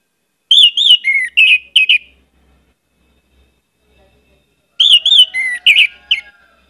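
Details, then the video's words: Orange-headed thrush singing vigorously, a lure recording with many varied phrases: two short bursts of high whistled and slurred notes, some dipping in pitch, about three seconds apart. "pancinagan anis merah gcor banyak isian"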